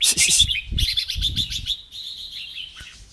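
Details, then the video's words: A caged red-whiskered bulbul named Euro, urged on by its keeper, pours out quick, bright, high chirping notes in short "double" bursts, with low knocks and a murmuring person underneath. "นกกรงหัวจุกชื่อ ยูโร ทั้งร้องเบิ้ลทั้งริก"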